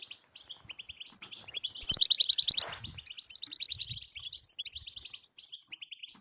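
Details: Goldfinch singing the batbata style, meant to set silent goldfinches singing: twitter leading into two loud bursts of fast, buzzy trilled notes, followed by scattered high pips and chirps.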